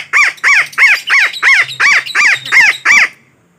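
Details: Parakeet trapping lure with nine loud, raspy squawks delivered steadily at about three per second, then silence.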